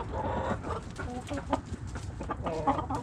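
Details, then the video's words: Backyard hens clucking together: a busy stream of short, soft, overlapping clucks and murmurs, densely packed with no pause, over a steady low rumble of background noise. "Backyard Chickens Relaxing Video Sounds Noises Hens Clucking Roosters Crowing!"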